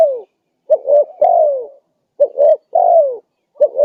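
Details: Loud spotted dove coos, a lure to draw in wild doves, each phrase two rounded hoots then a drawn-out descending note, repeated roughly every one and a half seconds.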